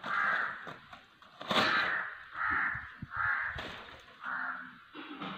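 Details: Black francolin giving loud, grating, drawn-out notes separated by short gaps. Some knocking sounds and faint background noise are heard between the calls.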